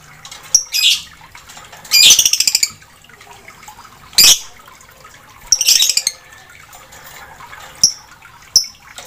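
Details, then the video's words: Ink-blue lovebird in full voice: scattered shrill chirps mixed with short, rapid buzzy chatter runs of about ten notes each, then a few thin, piercing single notes near the end. "LOVEBIRD BIRU MANGSI GACOR"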